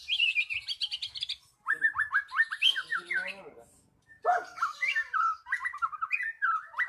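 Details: Magpie-robin lure song meant to spur a quiet bird into full singing: rich whistled phrases of fast, choppy, repeated notes in two bursts separated by a short pause.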